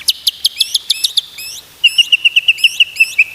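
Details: White-rumped shama song played to teach other shamas to sing: a rapid, evenly spaced series of sharp high chipping notes, briefly pausing, then resuming in a second steady run.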